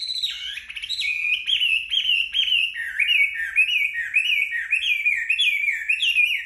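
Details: Chinese hwamei singing steadily after its bath in the sun: an unbroken sequence of loud, swooping whistled notes, each phrase dipping and rising, repeated many times with slight variation.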